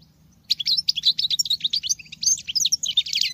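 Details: European goldfinch hen singing in the manner of a male, a dense, rapid burst of high chattering and tinkling notes lasting nearly three seconds, with a soft constant low hum.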